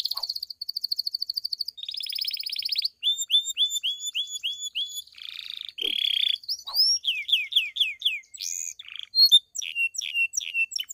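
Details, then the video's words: Bell-style 'campainha' song of a pied Belgian canary, used to stimulate other canaries and females: loud varied phrases of rapid trills, repeated clipped notes, short buzzy bursts and quick descending slurs in changing tours. "Canário Belga canto CAMPAINHA (sing bell belgian canary)"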